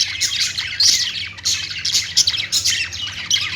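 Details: Several budgerigars singing together, a high, rippling mix of sharp tweets and scratchy squawks in quick overlapping bursts, with a low hum in the background.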